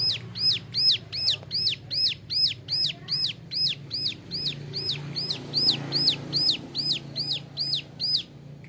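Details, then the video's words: Young male bar-winged prinia singing, used as a training model for other birds: a sharp, high note falling in pitch, repeated about two and a half times a second in a steady series, over a low hum. "Suara ciblek gunung muda nembak varisi cocok buat masteran"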